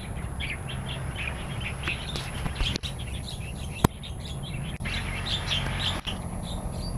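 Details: Wild starlings in Taiwan singing outdoors: a busy stream of short, bright chirps and twitters runs throughout. A low, steady hum sits underneath, broken by a few sharp clicks.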